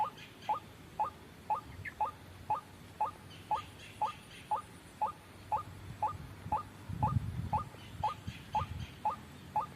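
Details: White-breasted waterhen lure call used for trapping: a steady series of short, downward-stroked notes, about two per second and evenly spaced, over low background rumble.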